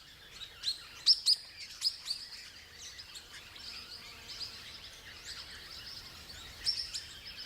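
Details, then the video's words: Wild swift parrots in Tasmania feeding high in flowering gum treetops, keeping constant contact with mouse-like squeaking calls: thin, high squeaks in a loose burst near the start, scattered later, over soft outdoor background noise. "during these bouts of feeding they're rarely seen alone and keep in constant contact with others by their mouse-like squeaking calls"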